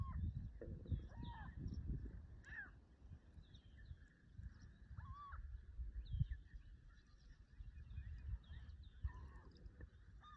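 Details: Marbled godwits in Fayette County, Illinois, give scattered nasal, upslurred calls, often doubled, against steady low wind rumble, with faint higher chatter from other birds.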